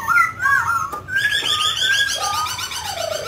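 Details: Mutant grey laughingthrush singing and dancing. It gives looping whistled phrases that rise and fall, then a long, sliding whistle that arches upward before dropping, with a faint low hum behind.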